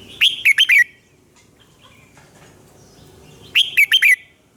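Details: Red-whiskered bulbul morning song, fired-up training style: two loud bursts of three or four quick, slurred whistled notes dropping in pitch, separated by about three seconds of quiet with soft background noise.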